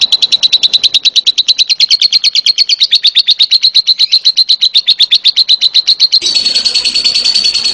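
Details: Lovebird giving a long 'ngekek' trill: high, evenly pulsed notes repeated about seven times a second for six seconds, then shifting into a denser, continuous chatter.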